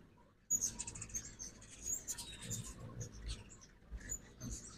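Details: Ruby-throated hummingbirds during fall migration on a morning in 2024 in Oxford, Mississippi, at a backyard feeder, give rapid, very high, squeaky chips and twittering bursts over a soft low rumble.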